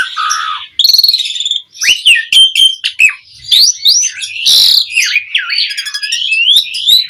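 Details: Asian pied starling mompa singing, used to get other songbirds calling back: a continuous medley of wavering whistles, harsh rasps and squeaky slurred notes with hardly a pause.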